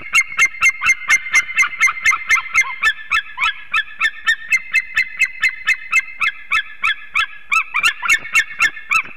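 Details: Adult eagle pair, unringed, calling on their nest at Ķemeri, Latvia, dawn of 8 March 2024 amid arrival and mating. Sharp clipped yelps pour out about four a second for nine seconds, loud and evenly spaced, with some overlapping notes near the end.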